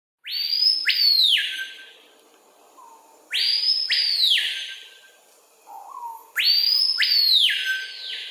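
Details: Adult male screaming piha singing on a lek in rainforest at Kourou, French Guiana, early afternoon, 25 September 2023, recorded with a Panasonic FZ300: three deafening two-part screams, each a rising swoop then falling sweep, repeated about every three seconds.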